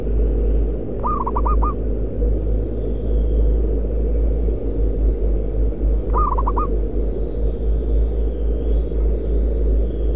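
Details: Free-living zebra dove heard while trapping at a concrete pipe and paving plant in Kudus, Central Java. Two brisk phrases of stuttering coos come about five seconds apart against a strong deep hum.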